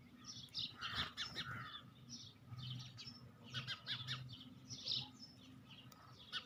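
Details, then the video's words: Sparrows chirping in bursts of quick, high, clipped tweets, several overlapping notes at a time, with a steady low hum underneath. "sparrow sound effect"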